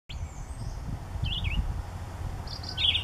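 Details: Chickadee at its nest in Daly Point Nature Reserve in May 2015: a few short, wavering, slurred high notes, one pair early and another cluster near the end, over a steady low rumble of background noise.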